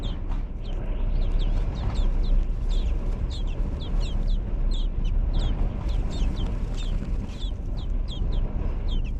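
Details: Baby birds in a nest inside a hog barn, fed by their mother: steady thin, high chirps repeating several times a second, over loud constant low machinery-like rumble.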